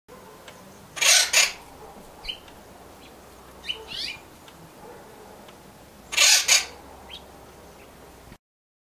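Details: Acorn woodpecker in the Huachuca Mountains of southern Arizona, at a bird feeder, gives harsh, raspy doubled squawks in two bursts about five seconds apart, with a few faint thin chirps between them.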